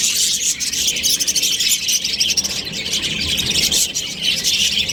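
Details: Continuous high twittering and buzzy chatter from an Australian budgerigar breeding pair, busy and fluttering with short rapid pulses, over a faint low background hum.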